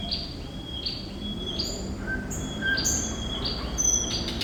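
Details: Thrush nightingale singing a series of repeated two-tone whistles, each a high note dropping to a lower held one, with a few very high thin notes and faint background noise.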